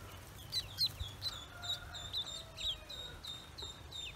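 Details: High, piping peeps from newly hatched Pekin ducklings on a farm, repeated roughly every half second with some softer overlapping calls, over a faint low hum.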